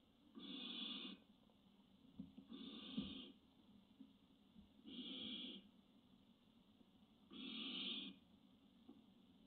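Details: Barn owl on a nest webcam, 25 June 2017, giving harsh, breathy snoring hisses, each under a second long, repeated about every two seconds against quiet background hum.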